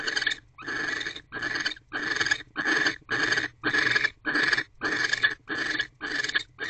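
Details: Mating barn owl pair in a nest box, 25 December 2023 evening, with prey in the female's beak. Rapid run of about a dozen short, raspy bursts, close together and slightly uneven.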